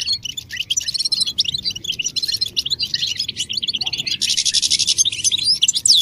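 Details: European goldfinch song used to encourage other goldfinches to sing: a busy stream of quick high twitters, then a dense buzzy trill, ending in sharp rising and falling whistled sweeps.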